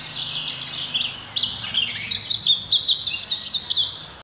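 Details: Indigo bunting song in two bright phrases of high, quick chirps, many doubled, with slurred up-and-down notes and a brief pause between the phrases.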